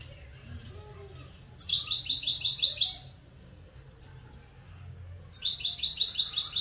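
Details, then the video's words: Local European goldfinch giving two phrases of fast, bright, rattling twitter, each about a second long. A quiet pause separates them, over a faint low background hum. "مقنين حسون بلدي"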